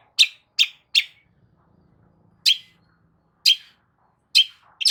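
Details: Long-tailed shrike song used as a lure for a silent shrike: a few loud, harsh, scratchy high notes in short clusters, separated by pauses of about a second.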